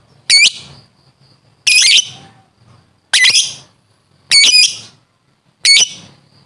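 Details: Chatty lovebird, a fighter-type training recording: five loud, harsh, shrill squawks, each about a quarter second long and coming every one to one-and-a-half seconds. The background is quiet.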